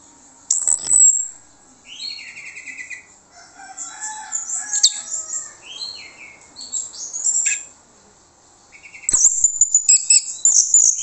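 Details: Orange-headed thrush singing as a lure to make other birds answer: varied, fast phrases of high twittering notes mixed with mid-pitched slurred whistles and buzzy trills, separated by brief pauses, then a loud chattering burst near the end.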